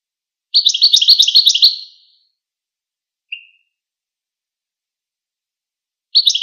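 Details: Goldfinch giving a fast, bright chittering phrase of about a second, then a single short high note, a long silence, and the start of another twittering burst.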